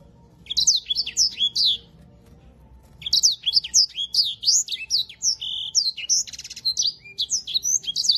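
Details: Grey singing finch, known locally as edel sanger, a finch used as a master songbird for canaries: a bright burst of quick slurred whistles, a pause of about a second, then a long rapid twittering run of high rising and falling notes.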